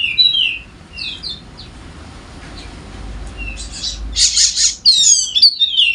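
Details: Wallacean white-eye, golden-headed form endemic to Sumbawa, used as a master song to draw out quiet birds: scattered high slurred chirps, then loud buzzy high rattles and short sliding whistles near the end.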